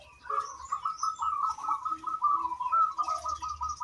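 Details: Singing local zebra dove whose song serves as a lure to start other birds singing: a continuous run of quick, purring trilled coos, steady in pitch, with soft lower notes beneath and faint chirping higher up.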